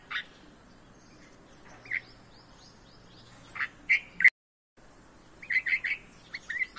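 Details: Hungry red-vented bulbul chicks calling as they are fed in a home garden: scattered sharp chirps building into a burst of rapid, strident squeaky notes, a short silent gap, then another quick cluster of shrill calls.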